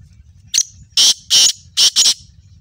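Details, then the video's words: Black francolin calling: five loud, harsh, grating high-pitched bursts in quick succession. The second and third bursts are longer and the last two are closely paired, against a quiet background. "kala teetar ki awaz"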